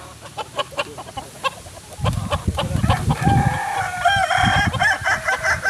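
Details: Native Kukuak Balenggek rooster from Solok, West Sumatra. Brief clucks and a low rumbling thud of handling noise come first, then a drawn-out crow of stepped, wavering notes runs to the end.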